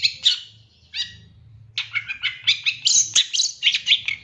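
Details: Training recording of a long-tailed shrike packed with fill-in phrases: a few isolated chirps, then a dense run of rapid, buzzy, high notes repeated about once a second or faster, over a soft low rumble.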